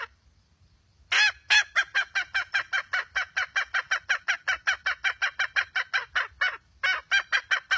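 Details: After a second of quiet, a wild red junglefowl hen breaks into a long rapid series of scratchy clucks, nearly five per second, pausing briefly near the end before a final quick burst.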